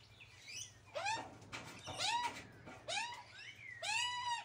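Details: Young Australian magpies squawking during feeding by their mother: four rising, bent, harmonic squawks spaced roughly a second apart, with a thinner whistled note slipping in between the last two.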